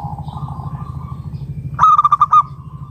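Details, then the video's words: Local zebra dove singing to draw other doves into calling: a faint, drawn-out low tone, then a quick run of about six bright, staccato cooing notes ending in a held note, with a steady low hum behind. "Perkutut lokal gacor RAJA PIKAT Ahlinya Bikin Semua Burung Perkutut Gacor Nyaut"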